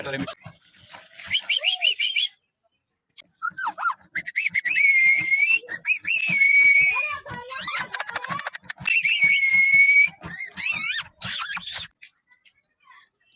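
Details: A ring-necked parakeet giving a talking greeting: thin, high-pitched chatter mixing mimicked words with shrill whistles and rapid squawky bursts.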